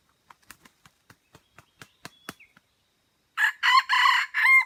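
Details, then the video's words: Red junglefowl from Aceh, recorded during a lure-trapping session at Mata Ie: a string of sharp clicks and taps, then a loud, harsh, broken crow of several rough bursts closes the recording. "Ayam Hutan Aceh"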